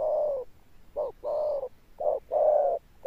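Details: Deep 'thunder-tone' cooing of a wild-caught spotted dove with stamping: a long low hoot, then short clipped notes each followed by longer drawn-out coos.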